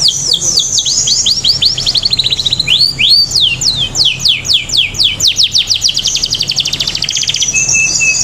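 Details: Atlantic canary song used as a lure to get other canaries singing: loud rapid series of high descending sweeps, rolling into fast even trills and a steady high buzzy note at the end, over faint low hum.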